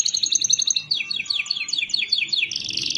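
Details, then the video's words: Canary singing to coax lazy canaries to sing, built from rapid repeated trills and a run of quick downslurred notes, ending in a bright fast roll. "Pancingan Untuk Kenari Yang Malas Bunyi"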